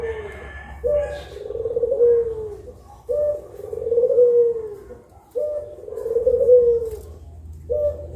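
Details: Pelung-style collared doves, two birds calling at midday: low, drawn-out coos, each rising briefly then sliding down, spaced roughly two seconds apart.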